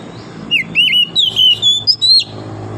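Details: Oriental magpie-robin singing in wild forest during the morning: a fluent sequence of loud clear whistles, slurred and wavering, climbing in pitch toward the close, against a low steady hum.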